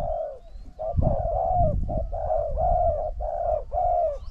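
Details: Spotted dove, a decoy bird set against a wild bird that coos a great deal: low mellow coos in runs of two to three phrases with brief gaps, over steady low rumbling background noise.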